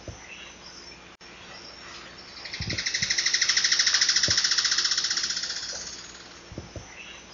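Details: Alagoas foliage-gleaner song: a rapid, even series of harsh, high repeated notes, about 200 per minute, swelling in loudness then fading over some four seconds, with scattered faint clicks before and after.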